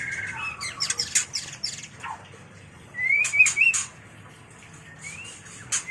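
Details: White-rumped shama mating song for training and luring birds: a dense burst of harsh high clicks and a falling note, then warbled rising whistles with clicks, then one upswept whistle.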